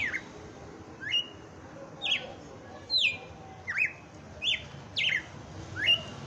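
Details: Red-cowled cardinal kept by a Brazilian bird breeder, singing 'batendo fogo' on Christmas Day: a clear series of bright slurred whistles, rising and falling, repeated roughly every second, with faint low background noise.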